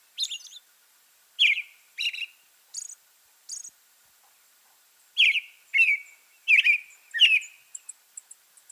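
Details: American robin calling in December in the South, where it is more common in fall and winter; sharp, downslurred notes in pairs and groups, some loud and ringing, followed by a few tiny high ticks.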